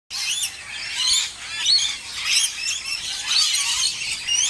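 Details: Rainbow lorikeets bathing and feeding, a flock giving a dense, continuous chatter of shrill, high screeches and chirps that overlap without pause.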